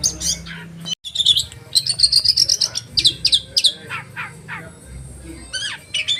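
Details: Oriental magpie-robin, a caged bird, singing a sharp 'roll' and 'tembakan' (shooting) style meant to provoke other magpie-robins into showing their repertoire: bright high whistles and rapid trilled bursts, a brief pause near the first second, faint low hum.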